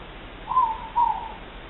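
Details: A morepork (ruru), with two birds recorded on 3 August 2014, delivers its familiar two-part hoot: a bright first note then a lower, falling second note, over soft steady hiss.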